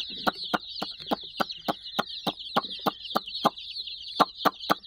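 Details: About sixty chicks playing with a toy puppy keep up a shrill chirping chorus beneath loud, sharp taps repeating around four times a second.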